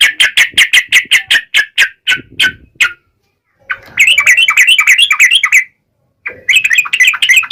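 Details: Yellow-vented bulbul in sharp wild-style song, used to get other bulbuls to answer at once: a fast run of clipped chirps, then a pause and two bursts of bubbly, warbling chatter.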